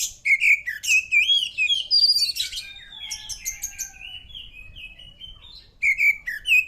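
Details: Oriental magpie-robin in rich, continuous song, used to draw answers from other birds: rapid warbled whistles and chirps, a long fluent descending run, then renewed loud bursts.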